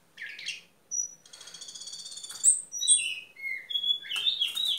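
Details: Orange-headed thrush singing at 11 pm: quiet, varied phrases of high whistles, a sustained buzzy note, then sliding whistled notes and scratchy bursts, all fairly soft.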